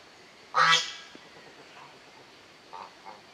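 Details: A single loud, raspy honk from a family group of African geese, followed by two faint short calls near the end.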